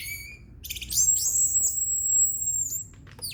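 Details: Orange-headed thrush singing quietly and relaxed: a few short high whistles, then a burst of chattering notes leading into a long, very high thin whistled tone held steady for over a second, ending with sharp clicks.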